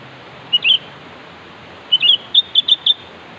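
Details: Sooty-headed bulbul calling to lure a rival. A slurred two-note whistle is repeated after a gap of over a second, then a run of four crisp, evenly spaced whistled notes, over low hiss.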